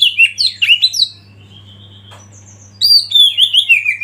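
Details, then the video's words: Kacer, or Oriental magpie-robin, in a training song meant to stir other birds to sing: quick looping whistles and chattery notes, a thin level whistle during a short lull, then another burst of bright slurred phrases, low hum beneath. "Masteran KACER Pancing Emosi dan bikin gacor yg lain"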